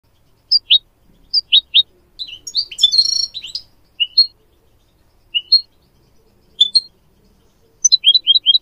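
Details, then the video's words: Goldfinch song used as a tutor recording for teaching goldfinch mules and canaries to sing: short high chirps and twittered notes, scattered singly and in pairs, with a dense burst of trills near the middle and quick chirps at the end. "Teaching goldfinch mules and canary to song"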